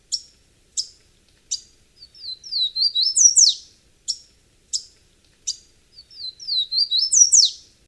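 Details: Golden-crowned Warbler (Basileuterus culicivorus), a restless, common forest bird of southern and southeastern Brazil, sings twice: three sharp, high chips spaced evenly, then a quick string of sweet warbled notes rising to a bright, emphatic end.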